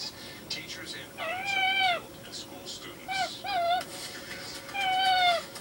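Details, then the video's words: Indoor pet parrot trying to meow for attention as its owner cooks, despite never living with a cat: a long wavering mew, two short clipped mews, then a final drawn-out descending meow, with faint chattery clicks between them. "Parrot babbles N tries to meow"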